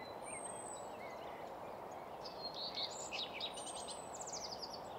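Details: Singing common redstart at Nysved, Norra Järvafältet, mono recording on a Sennheiser microphone and Zoom F6: a brief burst of quick chirping notes midway, preceded and followed by high thin whistles of other birds over constant hiss.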